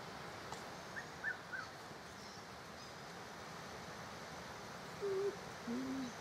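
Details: A female spotted eagle-owl with only one eye, watching over her territory, gives two soft, low hoots near the end, the second deeper and longer; faint high chirps earlier over steady background hiss.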